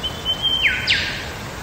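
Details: Lyrebird song recorded in the wild in Megalong Valley, Blue Mountains, Australia: a thin, level whistle that drops sharply, followed by a second quick downward-sweeping note, with soft ambient hiss behind.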